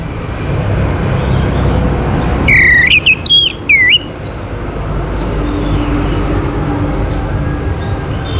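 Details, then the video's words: Orange-headed thrush singing to prompt other birds to join in: one brief burst of bright, slurred whistles dipping and rising, then only a steady low rumble. "KICAUAN ANIS MERAH UNTUK PANCINGAN AGAR BURUNG IKUT BERKICAU"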